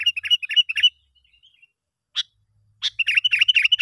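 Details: Sooty-headed bulbul, used as a lure call to attract bulbuls: bright, bubbly chirps in quick runs, broken by a short pause and single sharp notes, then another lively burst.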